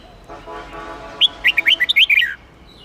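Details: Huế-type red-whiskered bulbul from Vietnam, sung for contest training and to excite newly caught birds: a faint low hum is heard first, then a fast phrase of roughly ten clear slurred whistles that ends on a falling note.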